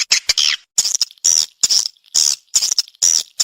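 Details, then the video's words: Response call from a swiftlet: short bursts of squeaky, shrill chirps with a thin whistled tone, coming in clusters separated by brief pauses. "Suara Walet respon"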